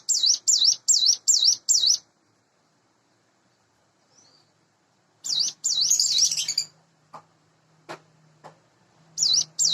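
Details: Caged, hand-raised sunda bush warbler about eight months old singing at dawn hours: short bursts of quick high V-shaped whistles separated by pauses, with a faint low hum and a few clicks between phrases.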